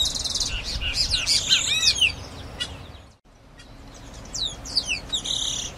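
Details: Grayish baywing (Agelaioides badius) song: a jumble of bright, sliding whistles and chattery notes, several birds overlapping in a busy chorus, with a brief pause midway.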